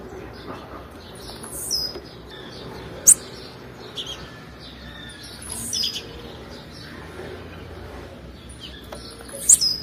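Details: Female blue-black grassquit call, used to stimulate males: short, sharp, very high chirps and quick downward-slurred notes, spaced unevenly a second or more apart, over a steady hiss with faint background chirping.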